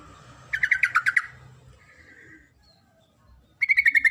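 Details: Female sooty-headed bulbul calling to the male: a fast burst of about six bubbly, chirping notes, then a short fainter phrase, a pause, and a second quick run of rattling chirps.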